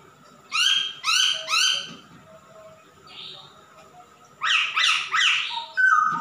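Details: Male masked laughingthrush singing vigorously: three quick, rough, stacked squawks, a soft buzzy note, then another burst of harsh rising notes and a closing whistle.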